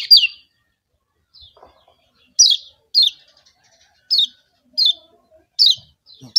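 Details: Lombok yellow kecial, a white-eye, used as a lure for rival birds: sharp, high, down-slurred chips repeated roughly every half to one second against faint background rustles.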